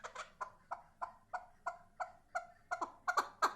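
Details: Chukar partridge giving a steady series of hoarse chuck notes, about three per second, growing louder and harsher toward the end.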